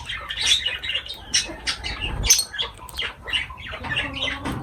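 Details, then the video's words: Lovebirds at feeding time give shrill, scratchy chirps in quick uneven bursts, with occasional soft thumps of movement underneath. "Love birds voice sound"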